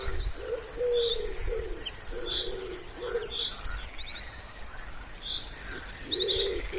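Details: A wood pigeon by a spring pond utters a short string of low, breathy coos, then another after a gap. Bright, rapid trills and chirps from smaller birds dominate the upper register.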